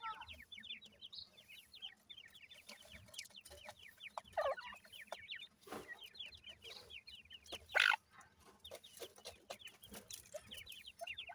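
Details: Grey francolin chicks from a gora teetar male and dakhni teetar female keep up steady, thin downward-slurred cheeps in overlapping series, broken by a few clatters and a brief loud rustle.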